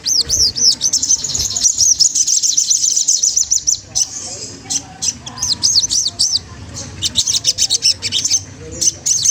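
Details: A rival-provoking Magpie-robin: a long rapid trill of very high notes at first, then separated arched chirps and dense bursts of fast, sharp ticking notes.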